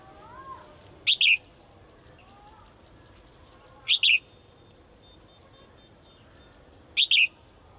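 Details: Female cage bird calls the male with sharp double chirps, each pair high and quick, repeated about every three seconds with faint background hiss.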